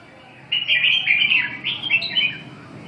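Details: One rich, rolling phrase of fast warbled notes from a red-whiskered bulbul, starting abruptly and running continuously for about two seconds with small rises and dips.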